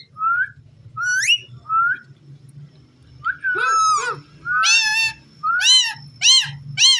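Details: Captive ringneck parrot said to be talking: several short rising whistles at first, then louder, rich, harmonic calls with bending pitch that come in quick bursts, separated by brief pauses. A steady low hum sits underneath.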